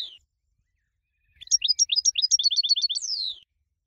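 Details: Competition-winning goldfinch whose song is used to train other birds: a quick burst of about sixteen bright, high chirping notes, sharp and rapidly repeated, closing with a long downward-sliding whistle, after a short high note at the start.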